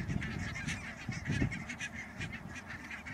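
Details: Many barnacle geese calling together at Schouwen-Duiveland and Goeree-Overflakkee in the Netherlands, 16 March 2009; sharp barking yelps pile over one another without pause, a few louder close notes standing out against low rumbling noise.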